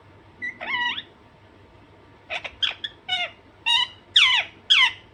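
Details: Pet Alexandrine parakeet calling with one drawn-out nasal note, then a run of quicker harsh squawks about twice a second, getting louder, over a steady background hum.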